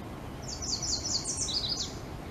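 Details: A downy woodpecker on a dead tree gives a rapid series of about a dozen high, squeaky notes that slide downward in pitch over a second and a half, over a low background rumble.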